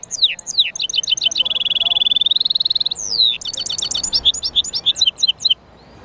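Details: Song of a European goldfinch mule, opening with quick chirps and falling whistles, then a long steady rattling trill on one pitch, followed by more twittering phrases and downslurred notes before it stops.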